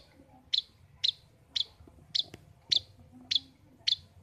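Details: Pet long-tailed shrike in a cage giving sharp, high chipping notes, seven in four seconds, evenly spaced about every half second, over faint background hum.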